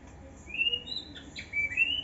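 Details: Young white-rumped shama in an aviary: long, clear whistled notes held high, rising and sliding between phrases, with a brief buzzy break near the middle and a thin background hiss.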